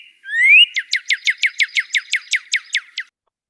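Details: A Northern Cardinal song of clear, widely ranging pitch: one clear upslurred whistle, then a quick run of about a dozen sharp, downslurred whistled notes, roughly five per second.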